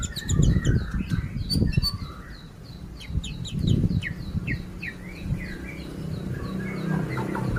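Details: White-rumped shama song: a varied run of clear whistles, slurred phrases and sharp high chips. Heavy low rumbling noise runs underneath.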